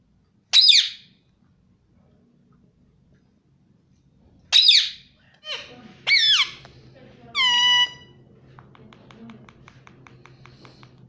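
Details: Pet ringneck parrot, a rose-ringed parakeet kept indoors, gives sharp high screeches, then squeaky wavering notes and a ringing, tone-rich phrase like mimicked speech, with a faint buzzing hum at the end.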